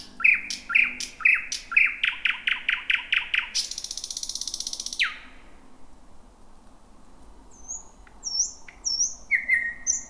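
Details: Thrush nightingale in dense bushes at night, the year's first in 2026. Quick repeated knocking notes build into a loud buzzing rattle ending in a downslur, then quiet before high whistles and lower flat notes return.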